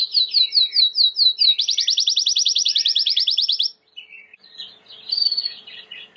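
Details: A Timbrado canary sings a training song of high, rolling trills: a few slower repeated notes quickly run into a fast, buzzy roll, ending with softer, scattered chirps.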